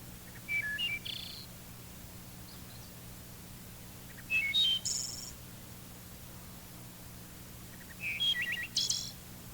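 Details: Wood thrush song from a re-recorded identification tape: three flute-like phrases spaced about four seconds apart, each a few clear whistled notes climbing and falling, ending in a high fluttered burst, over faint steady tape hum.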